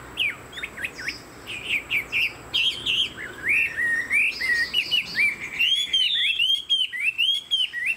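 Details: Chinese hwamei, kept as a pet songbird, sings quick repeated downslurred whistles that turn into fluid, arching warbles, about three notes a second, loud and clear against a quiet background.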